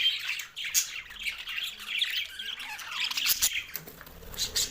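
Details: Green budgerigars eating contentedly; softer, scratchy chattering and chirps with a few louder squeaks, many birds calling together.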